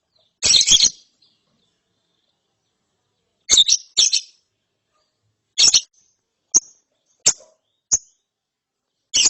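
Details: A lovebird chick in ngeriwik style after therapy: loud scratchy chirp bursts separated by pauses, mixed with short sharp single chirps at irregular intervals.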